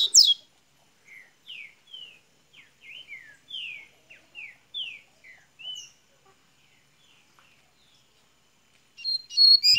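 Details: Double-collared seedeater of Minas Gerais warming into song: a string of about a dozen thin falling whistles at irregular spacing, then a loud burst of rapid high chattering at the close.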